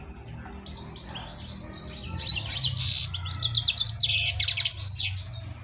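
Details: European goldfinch (al-maqnin) singing: soft scattered chirps at first, then a louder burst of fast, bright twittering with ringing high notes and brief buzzes, over a low background rumble.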